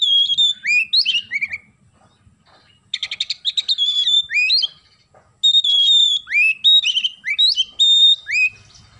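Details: Oriental magpie-robin in rich, loud song with sparrow-call inserts: fluid whistled phrases with sweeping rises and drops alternate with rapid rattled chatter, in long, nearly continuous bursts.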